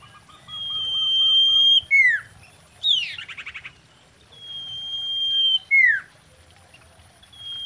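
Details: Common iora in breeding-season song used as a lure to stir mating urge: long level high whistles ending in sharp downslurred notes, with a fast buzzy trill between, repeated twice. Background is quiet.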